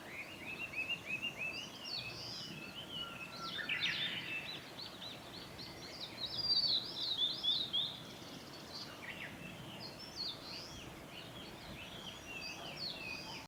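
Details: Male Blue-and-white Flycatcher singing on 25 April 2016 along a forest road at Lake Miyagase, Japan; rich run of rapid warbled and zigzag whistled phrases, loudest near the middle, then fading, against faint background hiss.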